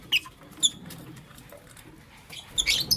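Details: Morning chirping from pet lovebirds, Creamino and Lutino Opaline; short shrill chirps come at the start and just after half a second, then a dense cluster of high squeaky notes near the end, over quiet room background.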